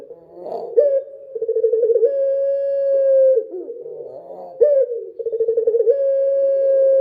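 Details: Dove night song with two matching phrases, each a short harsh note, a rapidly pulsing start, then a long, level, low coo.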